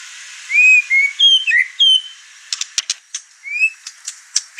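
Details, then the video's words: White-rumped shama kept in a house, over-excited and singing hard enough to rile the other birds; clear slurred whistles, some rising, broken by bursts of sharp clicking notes. "Murai Batu Over Emosi Bongkar materi Malah bikin ngamuk burung serumah"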